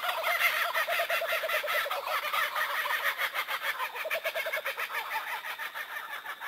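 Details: 1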